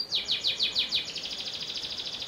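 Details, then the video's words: Panda canary delivering a rhythmic song: five or six loud descending slurred notes followed by a fast, softer rolling trill. "Kenari Panda Tanpa Ruji"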